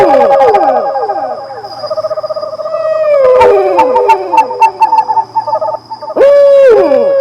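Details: Loon giving quavering, laughing tremolo runs that slide downward, ending in a long, steady wail. The notes overlap densely with echo-like layers, and a faint constant high tone sits in the background.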